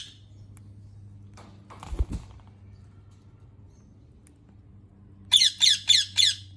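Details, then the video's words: Rose-ringed parakeet giving four harsh, high screeching squawks in quick succession near the end, after a long stretch of low steady hum and a couple of dull knocks. "ببغاء الدرة Ringneck Parrot"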